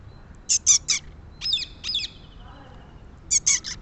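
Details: Loud, rasping calls of a rose-ringed parakeet in quick clusters of two or three sharp screeches, repeated three times across a few seconds, shrill and high-pitched.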